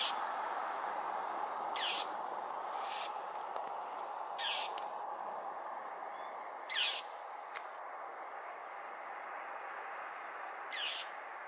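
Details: Northern mockingbird voicing displeasure at a Cooper's hawk perched atop a power pole on Potrero Road, Newbury Park, while repeatedly flying into it; about six short, harsh, rasping bursts spaced irregularly over steady broadband background noise.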